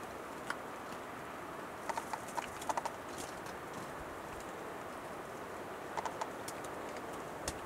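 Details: A wild male western capercaillie displaying and singing at dawn: sharp, dry clicks in short bursts, some quickening into brief rattles, over a steady outdoor hiss.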